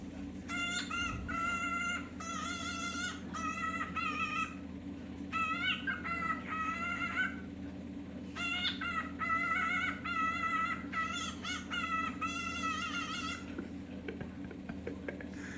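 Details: A cockatiel, described as depressed since its companion went missing, gives loud, shrill whistled calls in quick repeated bursts over a steady low hum.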